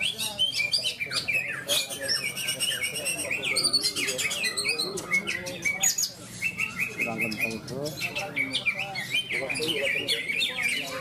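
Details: Greater green leafbird competing at a bird-song contest in Malinau, North Kalimantan, March 2022: rapid high chirps, trills and whistled phrases filling the air, mixed with other contest birds and people talking.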